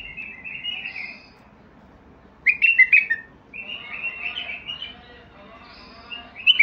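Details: Singing Basra bulbul: repeated warbled phrases of slurred, rich whistles, some sharp and loud, with softer chatter between bouts.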